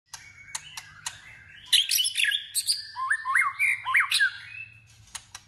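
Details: White-rumped shama in competitive song during voice training: soft clicks, then a loud jumble of whistled phrases and a run of slurred notes that dip then rise, repeated rapidly, over a faint low hum.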